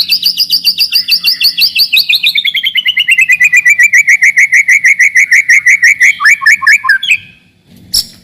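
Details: White-rumped shama song in dense rapid fire, used to provoke rivals and test young birds' nerve: a long run of fast repeated notes sliding steadily down in pitch, ending in looping whistled flourishes, then a brief sharp note.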